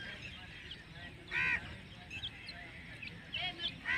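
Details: A pair of partridges, locally called dakni teetar or Irani teetar: loud, nasal, harmonic calls near 1.4 and 4 seconds, with a softer one near 3.4 seconds, over steady low background hiss.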